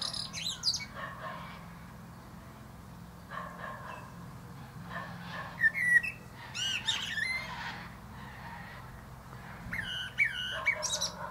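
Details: Male common blackbird singing atop a plum tree, softer here. Scattered high squeaky twitters and a few fluted whistles come in loose bursts every few seconds over a low, constant hum.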